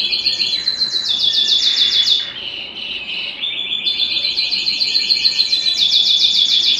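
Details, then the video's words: Belgian canary singing, a song used to stimulate singing and bring females into breeding condition; high, rapid trilled rolls of repeated notes, a brief softer pause near the middle, then fast buzzy trills resume. "Canto Para Esquentar Canário Belga e Foguear as Fêmeas"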